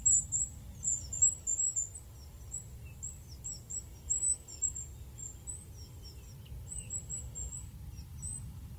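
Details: Goldcrest in the wild giving quick series of extremely high, thin, lisping notes, some with short downward hooks, in repeated bursts separated by brief gaps.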